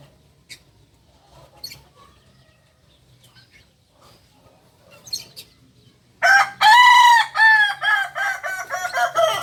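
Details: After six seconds of near quiet with faint chirps, a Solok, West Sumatra kukuak balenggek cockerel bursts into a loud, harmonic-rich crow broken into many short stepped syllables. This native singing chicken's crow can reach 19 tiers.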